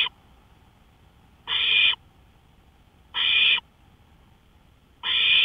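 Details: Owl at a porch in the small hours, 1:53 AM on May 5, 2013, uttering harsh hissing bursts every 1.7 seconds or so, three full screeches after a clipped one, over low steady hum.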